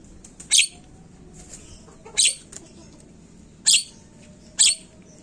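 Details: Javan myna, played as a lure to get kept birds calling quickly: four loud, harsh, rasping bursts, irregularly spaced, over faint background hiss and soft chirps.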